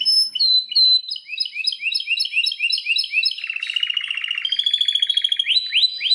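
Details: Belgian canary song of repeated rising whistled notes, then a long buzzy rolling trill and a few final upward sweeps.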